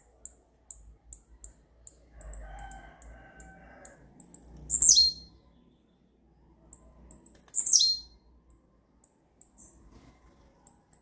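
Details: A blue-black grassquit sings a rare "campainha" song type: two sharp, high, downward-sliding buzzy notes about three seconds apart, over faint rapid ticking and a brief low hum.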